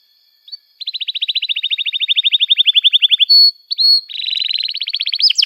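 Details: Canary song played to teach young canaries to sing: a long, even, rapidly repeated trill, two pure sustained whistles, then a higher fast trill rising at the end.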